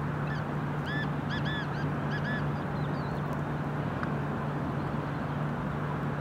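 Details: Ruddy shelduck in Cyprus, 2021, gives about five nasal, goose-like honks in the first three seconds, each a short arched note, over a steady low hum.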